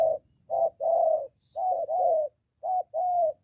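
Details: Spotted dove, moulting decoy bird meeting a wild one near home in Gia Lai, Vietnam: loud close coos, a short note followed by a longer level coo, three pairs in quick succession.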